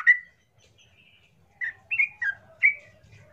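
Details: Yellow-vented bulbul lure song meant to stir other bulbuls: a few fairly soft, separate slurred whistles, one at the start and a short cluster after a quiet stretch with faint low background hum.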